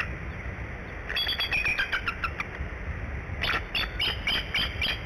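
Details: A female bald eagle incubating eggs at a nest at Decorah calls at 6:22 am on 11 March 2017 for the male to relieve her. The call is two bursts of rapid, thin, high chittering, each about 1.5 seconds long, over low wind rumble.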